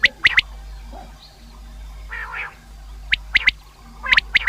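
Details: Common quail, the sound played for hunting: three distinct bursts of the clipped three-note call, spaced by a few seconds of quiet, with a faint softer murmur in between.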